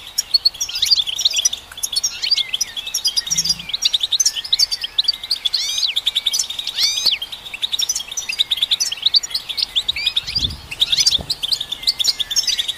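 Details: Long, energetic goldfinch song to stimulate goldfinches: continuous rapid twittering, chiming chirps, buzzy trills and repeated rising-falling swoops, with faint low knocks at a few points.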